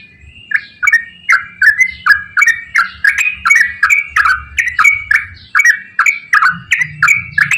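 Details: Straw-headed bulbul's long, rapid 'gacor ropel panjang' song for prompting quiet bulbuls: an unbroken stream of loud, rich, liquid warbles, roughly three per second, with a thin high tone running beneath and faint low noise.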